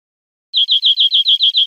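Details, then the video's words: A European greenfinch sings a quick, even trill of about eight bright, high notes, roughly six per second, against a silent background. "Canto Verderon"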